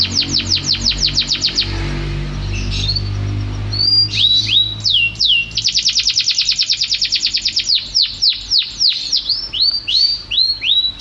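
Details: Canary singing vigorously: a fast chattering trill, a pause, then swooping whistles and another long rapid roll, closing with bright upslurred notes.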